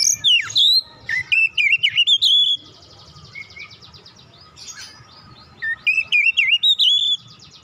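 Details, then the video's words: Oriental magpie-robin, an untrained bird provoked to sing, gives a dense string of loud, wavering whistles that rise to a held note. A softer buzzy pause follows, then a similar whistled phrase is repeated over a constant hum. "KACER BAHAN TERPANCING LANGSUNG GACOR"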